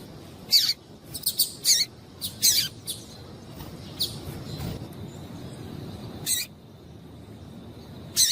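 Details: Female double-collared seedeater giving calls meant to stir a male: bright, high, short chips in an uneven cluster early on, then a pause and two more isolated chips.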